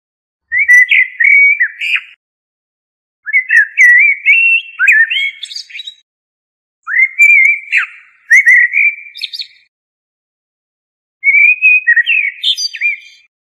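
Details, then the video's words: Common blackbird delivering four loud warbled phrases with crackly high twittering ends, each followed by a pause of a second or more. "تغريد طائر الشحرور ( جحمومية - الزرياب ) Turdus merula"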